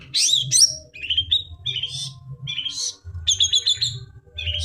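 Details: Long-tailed shrike in lively full song, played as therapy for birds that have stopped singing: a varied stream of high chirps, buzzy trills and sweeping whistled notes in short bursts with brief gaps, over a low rumbling background noise.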